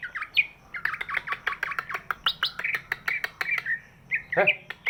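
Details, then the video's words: Large-bodied greater green leafbird, its song said to prompt lazy birds into singing: a fast, varied stream of squawky chattering notes and short whistles, repeated in quick bursts. "cucak ijo body big, suaranya bisa buat pancingan burung yang malas bunyi"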